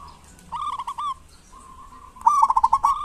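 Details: Local zebra dove in Indonesia, a lure bird for doves that are slow to sing; a few hooked whistled coos, a drawn-out soft note, then a loud quick staccato run of notes.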